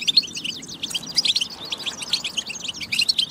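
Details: European goldfinch song played to stimulate other goldfinches to sing: a fast, tinkling twitter of short chirps and liquid trills, nearly continuous over a faint low background hum.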